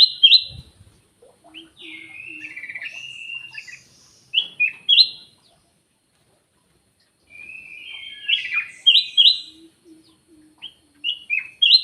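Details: Lure call of a black-naped oriole, clear whistled notes in bursts of two to four, with a soft warbling run between bursts and a pause of a few seconds of silence.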